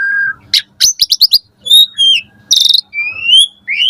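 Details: Asian pied starling singing in the morning, varied song used to tutor caged birds: a steady low whistle, sharp clicks and a quick rattling series, buzzy notes, then a long rising drawn-out whistle.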